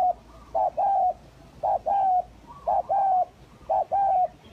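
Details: Lure recording of spotted doves, local name tekukur, hybrid and village types: steady, rhythmic low coos in which a brief note leads into a longer even coo, repeated about once a second over low background hum.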